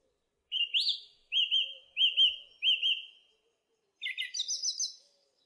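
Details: Song thrush song with a bright upswept note, then a looping whistled phrase repeated four times in quick succession, followed by a new chattering, trilled phrase.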